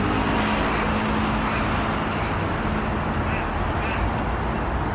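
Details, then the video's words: Many little ravens near a shopping centre beside a very busy road, some scavenging at a dumpster or perched on streetlamps, give harsh, guttural caws in quick overlapping bursts over a steady roar of traffic and town noise. "Little ravens galore"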